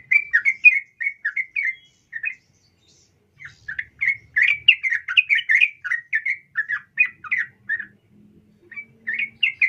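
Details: Sooty-headed bulbul female calling a male, a long sequence of lively chattering phrases with quick bright notes, briefly pausing after two seconds before resuming more densely.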